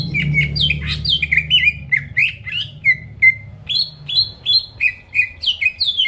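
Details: Greater green leafbird song, used to make rival birds sing: a steady series of slurred, whistled chirps, many dropping in pitch, repeated about twice per second with varied shapes.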